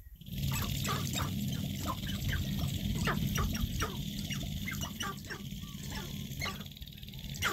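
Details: Male sharp-tailed grouse on a lek in Northwest Nebraska during lekking season, heard from a public viewing blind. Quick, dry clucks and short popping notes come in rapid irregular runs, over a steady low rumble of background noise.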